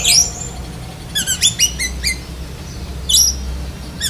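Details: Black-breasted magpie-robin giving a mimicked lovebird-style phrase: a bright rising whistle, then a descending series of short chirps, a pause, and two more sharp sweeping notes, low hum beneath.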